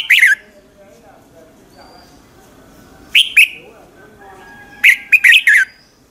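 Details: A red-whiskered bulbul sings in the morning, giving three short, bright bursts of bubbly whistled notes a few seconds apart over a faint low hum.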